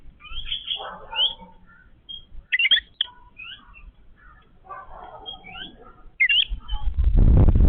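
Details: A family of Yellow-billed babblers feeding together give squeaky, chattering calls and short rising whistles in loose bursts, several birds at once; a loud rustling noise swells at the end.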